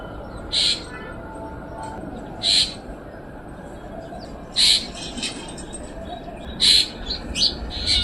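Black drongo giving short, harsh, high-pitched notes about every two seconds, with a few softer notes between, over a steady low rumble of background noise.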